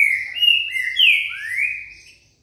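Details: Green-winged saltator delivering one rich whistled phrase: a sustained clear note followed by sliding, falling and rising slurs that fade away, with no other sounds.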